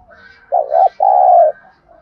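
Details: Spotted dove giving 'thúc gù' cooing, used to excite wild birds into a trap and train decoys: a hollow, stuttered opening note, a short break, then a long, steady low coo.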